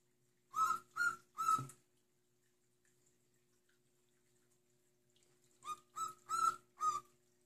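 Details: Pet cockatiel indoors, a playful bird that sings now and then: two bursts of short whistled notes, three then four, each a steady rich tone with strong overtones, separated by about four seconds of quiet room.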